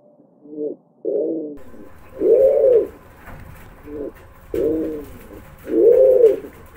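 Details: Pigeon calling in repeated low coos: a short hoot followed by a fuller, swelling coo, in two matching cycles with soft notes between them, against a faint hum.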